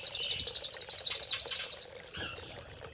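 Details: Velvet-fronted nuthatch master song with cililin-style filler, used to train caged songbirds: a fast, high, buzzy trill of evenly pulsed notes for nearly two seconds, then a few thin high whistles and a sharp closing chip.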